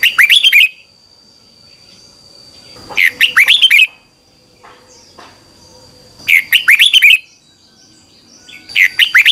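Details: A red-whiskered bulbul gives its morning training song, a double twisting voice used as a lure for training birds: bright bursts of swooping whistles about every three seconds over a thin, steady high hum.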